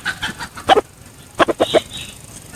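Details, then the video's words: Decoy red junglefowl giving short clucks, then one loud harsh double note, a pause, and a tight group of three sharp clucks trailing into a faint higher tone. "ไก่ต่อ เสียงไก่ต่อ ไก่ป่า"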